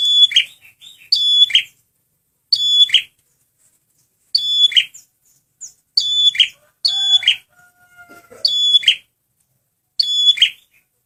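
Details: Red prinia, a male, singing a lure song: about eight bursts in quick succession, each a bright whistle sliding into a harsh buzzy rattle, with a faint lower whistle in the background.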